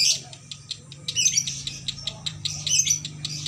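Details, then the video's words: A female lovebird in a shop cage sings konslet-style, one long continuous song, opening with a sharp shrill note, then dense squeaky, buzzy chatter that swells midway, over a steady low hum. "Lovbird konslet"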